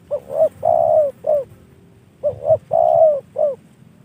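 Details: Trained spotted dove, a gift from a fellow bird keeper, sings two close cooing phrases, each with two clipped hoots, one long steady coo and a final short note, clear against faint background hum.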